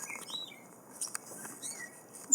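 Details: Gray Catbird singing in a yard where it breeds: a brief jumble of varied squeaky and whistled notes mixed with clicky bursts and short slurred phrases, ending in a sharp loud note.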